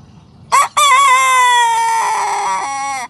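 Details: Young Sanjak cockerel beginning to crow, giving a short clipped note, then a long hoarse crow that holds steady for over two seconds before a lower, broken ending.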